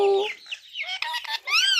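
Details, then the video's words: Talking Indian ringneck parakeet giving a short burst of chattering, speech-like syllables, starting with a tonal note and finishing with a clear rising-falling squawk. "Talking indian ringneck parrot"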